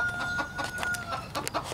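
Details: A broody golden bantam hen, sitting on nine eggs for nearly 21 days, gives a quick run of short, throaty clucks on her nest after being startled, over a steady high whine and faint background noise.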